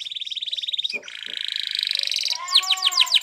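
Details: Spanish Timbrado canary singing to train other canaries: a dense buzzing trill, a short break, another sustained rattle, then sharp rising chirps with a lower tone beneath.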